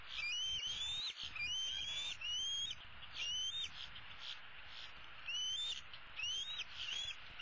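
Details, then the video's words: Older bald eagle eaglet from 2016, a female perched in the nest tree with a leg dangling, calls for food from her parents: steady run of high, thin, rising whistled squeals, each about half a second, nearly continuous. "E7 dangles her right leg and calls for her parents to bring her some food."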